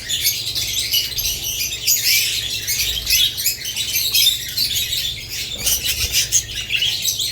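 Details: A group of budgerigars alongside lovebirds keeps up a busy, shrill chatter of overlapping squeaks and chirps, steady throughout with brief louder swells.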